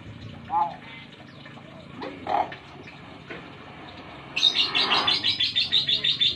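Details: Young Nias hill myna from the Nias islands of North Sumatra, Indonesia, just beginning to learn to talk and very chatty: faint voice-like sounds, then a rapid run of about fifteen harsh, evenly repeated notes at the end.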